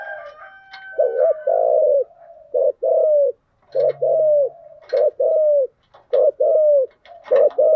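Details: Spotted dove decoy call, in the thúc gù and gáy gọi styles used to lure wild doves: short paired coo notes with downward-curving tails, repeated in uneven bursts, with a faint steady tone beneath and a few clicks.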